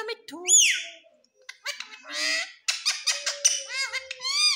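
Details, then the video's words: Indian ringneck parrot kept as a pet, talking, with speech-like harmonic phrases, arched squawking notes and a long steady tone, in bursts separated by brief pauses. "Parrot speaking mithu mithu| Green Parrot talking"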